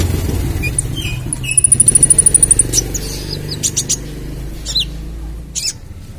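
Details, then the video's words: Ruby-cheeked sunbird in 'trotol' plumage giving full song as a lure for other birds: a fast, thin, very high rattle of evenly spaced ticks, followed by scattered squeaky chirps and downslurred notes over a low rumbling background. "Masteran Kolibri Ninja (Konin) Trotol Gacor Full Tembakan - Cocok Untuk Pancingan"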